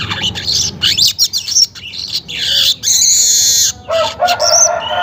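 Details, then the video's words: Weaver singing at dawn, about 5:40 am, with a rapid string of chattering, wheezy buzzes, a drawn-out sizzling note, then rougher lower notes. "suara pancingan burung manyar pagi hari"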